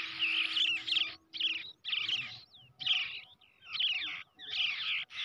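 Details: Young brown shrike raised by hand from an egg, giving loud, harsh rasping bursts about once a second with short gaps and a brief whistled slur between them.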